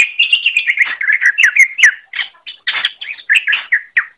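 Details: Greater green leafbird singing in a recording made to train other birds: a continuous stream of varied, slurred whistles and chirps that grows choppier toward the end, with short spaced phrases closing the passage; quiet background.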